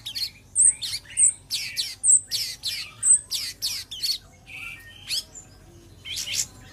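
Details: Bulbul, cucak cungkok, singing on a master recording for training other songbirds; bursts of sharp chirps and rising notes, with thin high whistles between them and one lower flat whistle near the end.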